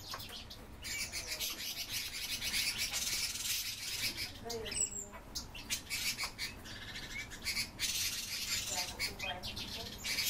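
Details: A dense, continuous chatter of many captive rosy starlings (Sturnus roseus), harsh buzzy chirps and squeaks overlapping, with a few clearer whistled notes and faint voices beneath.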